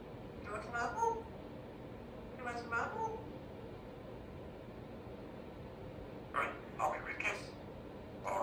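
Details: Chatty pet baby African grey parrot indoors: two tonal, warbling speech-like phrases, a quiet pause, then a cluster of quick, harsher bright syllables, against a faint room hum.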